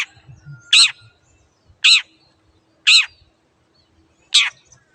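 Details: Master recording of a Long-tailed shrike, used to train caged birds that have gone quiet or moved to a new keeper. Loud rasping notes come one at a time, about once a second, four in all, over quiet background.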